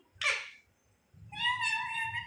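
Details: Talking pet parrot that copies human speech gives a short harsh squawk, then after a pause a longer nasal, steady, voice-like note over low room noise.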